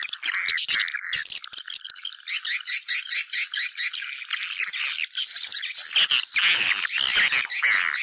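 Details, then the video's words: Swiftlet chorus for luring the birds into a house, rapid repeated chirps about twice a second under a steady wash of high, rasping twitter. "Âm thanh dụ Yến vào nhà"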